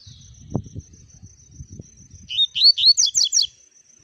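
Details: Double-collared seedeater singing one fast phrase of clear, sliding whistles that turn into rapid higher twitters. Low rustling and thumping come before the phrase, and a faint constant high tone sounds in the background.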